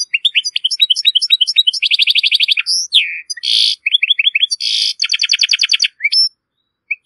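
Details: European goldfinch, Moroccan, singing a strong, error-free song used to teach goldfinch and hybrid chicks: quick bright twittering notes, rapid buzzy trills, harsh nasal bursts and upslurred whistles, with brief pauses near the end.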